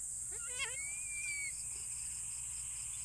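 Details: Philippine eagle calling in the early morning before being fed. A quick cluster of rising, stuttering notes leads into one long, thin, level whistled scream, over a steady high hiss.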